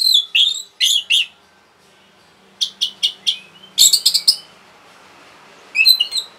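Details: Orange-headed thrush singing rapidly to provoke other birds: slurred high whistles, a pause, then quick sharp notes and a dense chattering burst, over a faint hum in the background.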